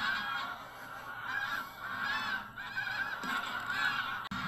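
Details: Tens of thousands of geese of several kinds, Canada, White-fronted, Pink-footed, Brent, Greylag, lifting off Burnham Norton marshes on the North Norfolk coast at sunrise, September 2022; a thick wall of honking calls that cuts out briefly near the end.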